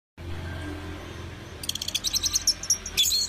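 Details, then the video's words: An orange-headed thrush gives, after a low hum, a fast burst of high chattering notes, about eight a second, ending in loud sweeping whistles. "Anis merah super jos(bird sounds)"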